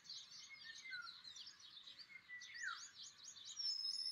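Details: Pied wheatear giving a dense, scratchy run of high chirps and short twittering notes with a few lower whistled slurs. The sound carries on almost without pause, ending with a thin sustained whistle.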